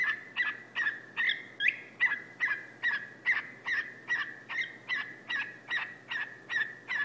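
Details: Male whiteface lutino cockatiel kept indoors, climbing down a couch and barking at a person's foot: harsh, rasping single barks repeated steadily about twice a second, each with a buzzy tonal core.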